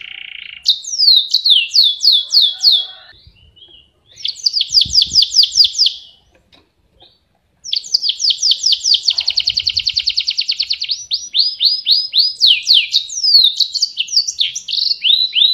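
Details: Lively canary (Serinus canaria) singing long as tutor material for cage birds: bursts of fast downward-sweeping notes separated by short silences, then a sustained rapid rolling trill and varied high chirps; faint low knocks in the background.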